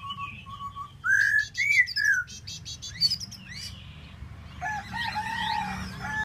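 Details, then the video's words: Tieu mi bird in solo song: short level whistles, then louder rising and falling slurred whistles, a burst of sharp high notes, and a softer scratchy, warbled ending; low background hum throughout. "Tieu mi de ban choi solo"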